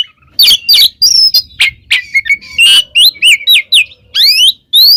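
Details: An oriental magpie-robin delivers gacor ngeplong song, loud and free-flowing, with sharp chips followed by clean rising and falling whistles in a lively, evenly spaced series.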